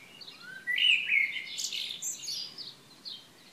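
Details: Wild birds singing on a morning of 3 June 2015 at Šilo on Krk island, Croatia: overlapping high twittering and chirping from several birds, with a clear rising whistled phrase, over a steady soft background hiss.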